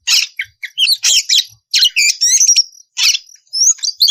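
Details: Ngeplong song of an oriental magpie-robin, played to call other magpie-robins into singing; crisp separated chirps, a rapid buzzy trill sequence and clear rising whistles, with short silent pauses between bursts.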